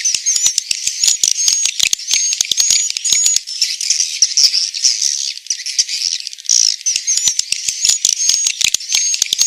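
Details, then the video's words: Roosting swiftlets in Central Sulawesi: a constant high hissing chatter dotted with sharp clicks and faint whistled threads, loudness rising and falling unevenly throughout. "Suara asli, inap walet abadi"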